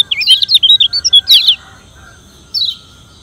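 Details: Caged Lombok yellow white-eye singing its challenge: a rapid, bright twittering phrase of high warbled notes lasting over a second, then one isolated descending whistle.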